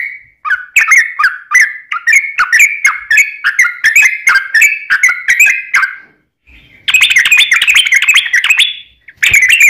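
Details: Yellow-vented bulbul lure song in long 'ropel' style to get other bulbuls calling; warbled slurred phrases, a brief pause, then a harsher, denser chattering burst at a higher pitch.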